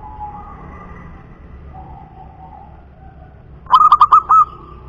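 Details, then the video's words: Cooing of a local wild zebra dove, a punden dove: soft, drawn-out hums fill the start, then one loud burst of five quick, bubbling whistled notes closes with a sustained tone. "suara PERKUTUT PUNDEN"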